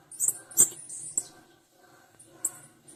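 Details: A female blue-black grassquit gives clustered high, squeaky chips, a quick tight burst at the start followed by single chips later, with light clicking in the background.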